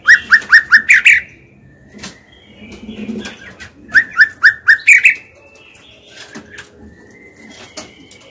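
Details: Female white-rumped shama, kept as a cage bird, singing to goad males into song: two bursts of four or five quick, rising whistled notes about four seconds apart, then quieter scattered notes and a thin high whistle.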